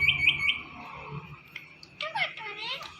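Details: Indian ringneck parrot calling: three quick high chirps at the start, a quieter stretch, then a burst of harsh, buzzy, speech-like notes near the end, indoors.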